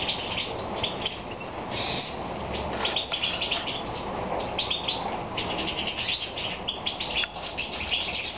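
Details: Evening song of a European goldfinch during moult, Romania, 22 May 2014; rapid jingling twitter of short high notes with occasional buzzy bursts, unbroken over eight seconds, background hiss present.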